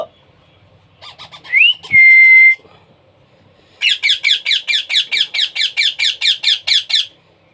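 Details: Baby parrot being hand-fed, giving a fast series of harsh, buzzy begging calls, about two per second, steady and insistent for several seconds; before this come a rising squeak and a long, level, pure whistle.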